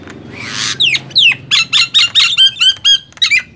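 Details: Nias hill myna and black-winged myna competing in loud song: a breathy hiss and falling whistles lead into a steady series of about ten ringing, squawky notes.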